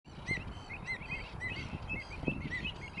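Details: Greater flamingos at South Atanasovsko Lake in July 2020, recorded during monthly bird monitoring. Short, nasal, harmonic calls from several birds are repeated about every half-second over a constant low rumble.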